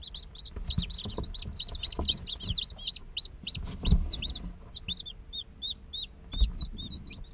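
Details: Many day-old chicks chirping together, real recording of chicks chirping and playing; dense overlapping high arched peeps, thinning to spaced single notes, with soft low bumps and knocks underneath.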